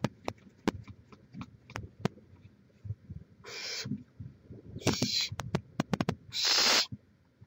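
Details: Barn owl at the nest, filmed by a live camera in Chula Vista, California, on 18 May 2017: scattered clicks and taps, then three rasping hisses, the last one longest and loudest.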